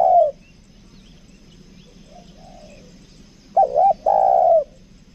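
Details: Spotted dove kept as a lure bird, 'kuk dua' type, Lombok; a faint coo trails off early, then a clear wavering two-part note and a long descending mellow coo near the end.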